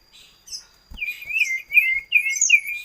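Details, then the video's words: Common iora, locally called sirtu, cipoh, cito or sirdum, giving a rolling series of five or six warbled, wavering whistled notes in steady succession, bright and fairly high, over a thin constant high-pitched background tone. "Suara Burung Imut Sirtu / Cipoh / Cito / Sirdum"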